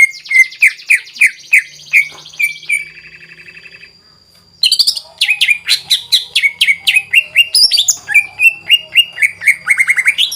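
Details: Greater green leafbird delivering varied, imitative song meant to stir other birds into singing: rapid falling whistled notes, a short buzzy phrase, a quiet pause, then a fast run of repeated chirping whistles.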